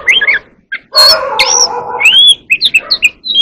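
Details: Oriental magpie-robin training its song: loud squeaky whistles and a long buzzy held note, followed by an arching whistle and a string of short chirps.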